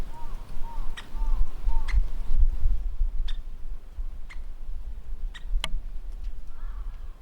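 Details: Woodpecker outdoors giving abrupt, clicking single notes at uneven intervals. Another bird adds soft, looping whistled phrases near the start and end, over a steady low background rumble.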